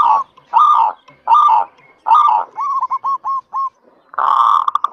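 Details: Local zebra dove, a lively singer used to lure others into song: several fuller drawn-out cooing bursts, a brief run of small upturned notes, then a dense rolling phrase breaking into quick pulses.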